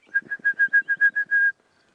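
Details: On a sunrise morning safari drive on 28 August 2016, an Orange-breasted Bush-shrike hopping in bush gives a quick run of about nine clear, even whistled notes, the last one drawn out, over a faint low rumble.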